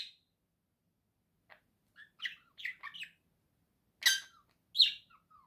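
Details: Pet budgerigar with a run of chirps and scratchy warbled notes, then two loud harsh squawky bursts and a thin falling whistle.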